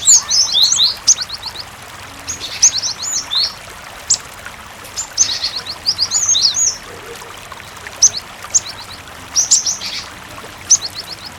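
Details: Cinereous tit song used as a lure to prompt other tits to answer and sing, mixed with running water: bursts of high, quick, sharp repeated notes in short phrases every second or two over a steady watery background.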